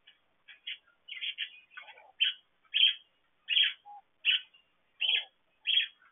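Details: Parakeets in an aviary giving short, bright chirps repeated roughly every half second to second, with scratchy harsh notes and a few lower warbled sounds mixed in.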